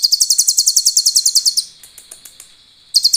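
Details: Sunbird (konin) singing a clear, lilting song filled with cililin phrases, kept as a master recording for training other birds: a rapid run of about fifteen sharp, high, buzzy notes, then scattered soft ticks and a fresh burst at the end.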